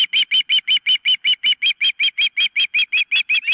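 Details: Osprey at its nest, caught on a nest camera on 4 September 2023 around 09:56, giving a rapid, steady run of short, sharp whistled chirps, about nearly three per second, each note clipped and evenly spaced, with no other sounds.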